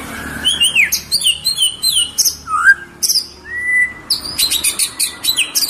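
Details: Varied song from a tame white-rumped shama: fast runs of sweeping whistled notes, some dropping in pitch, one long rising whistle midway, then dense buzzy, rattling trills repeated in quick bursts.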